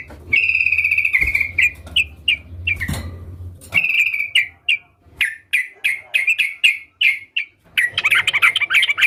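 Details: Sooty-headed bulbul (trucukan) singing: a long buzzy note, then a series of short, bright, downward-flicking chirps spaced roughly half a second apart, ending in a dense bubbling run.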